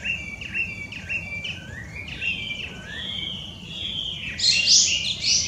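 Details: An invasive wild Chinese hwamei, native to China, sings a few short downslurred whistles, then long drawn-out gliding notes. A harsh, high buzzy burst comes near the end.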